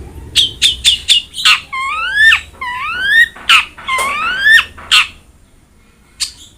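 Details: Long-tailed shrike song for coaxing a reluctant shrike into singing: a string of short sharp high notes followed by clear rising whistled slurs, then a pause and a single final chirp.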